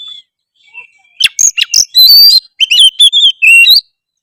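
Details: A 'gacor' magpie-robin in lively song, intended to stir other magpie-robins to respond: soft whistles open, then a dense run of sharp chirps, upswept whistles and short trills over about two and a half seconds.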